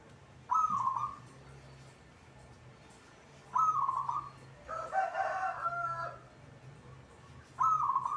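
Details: Local zebra dove, a kept cage bird described as singing readily, giving short rolling coos of about half a second, three seconds apart. A louder, broader, harsher call interrupts between them, over a low background hum.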